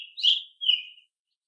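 An American robin gives two short, clear whistled phrases, the first slightly harsh and rich, the second gliding gently downward, with nothing else heard.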